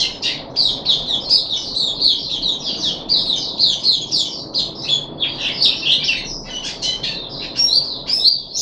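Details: Nonstop fast chattering song of high twittered and squeaky notes from a caged puff-backed bulbul, recorded 14 July 2021 during its third day of deworming.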